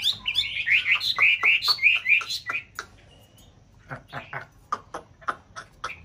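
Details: Chinese hwamei, white form, from a paired couple in a mountain-town conservation aviary during nest building: a fast sequence of looping whistled notes, a brief pause, then scattered sharp chips.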